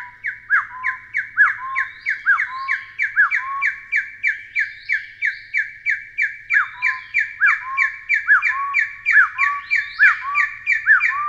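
A Taiwan hill partridge gives a fast, steady series of loud, rising hoarse notes, about two a second, with a lower answering note underneath.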